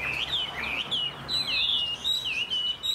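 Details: Caged Chinese hwamei, a pet bird noted for its fine singing and fanned-out fighting display. It gives rapid, looping whistled phrases that swoop up and down, delivered almost without pause over faint background hum.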